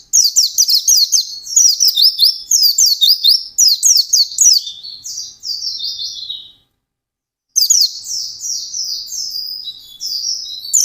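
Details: White-eye singing intensely in a fast, continuous chattering style: rapid high-pitched twittering phrases of sliding, descending notes, delivered in quick bursts, with a one-second pause near the middle before the song resumes.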